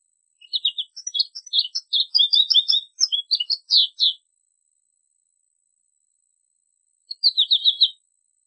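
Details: American goldfinch song from xeno-canto recordings: a rapid run of high, varied twittering notes for about four seconds, then a pause and a short burst of chirps near the end, with no other sounds.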